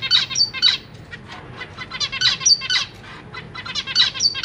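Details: Caged zebra finch babies, newly hatched and recently fledged, with parents busy feeding them: rapid, buzzy, high chirps in quick bursts, several birds calling together.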